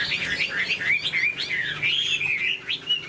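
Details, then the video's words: Caged Chinese hwamei with a fanned tail, wing-flicking and flicking its tail while singing. It gives a rich, fast warbled run of looping whistled notes, rising and falling without pause for three seconds. "Họa mi đuôi xòe chơi cánh, bóng bộ cực đẹp, hót vẩy đuôi khướu"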